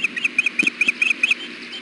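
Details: Hellgate nest, 6 June 2016: the female osprey keeps fussing for food while the male is on the nest. Short paired whistled chirps tumble out in quick succession.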